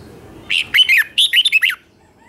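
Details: A single doubled-song phrase from a red-whiskered bulbul, used to train young birds: a quick run of seven or so loud, liquid whistled notes sliding up and down.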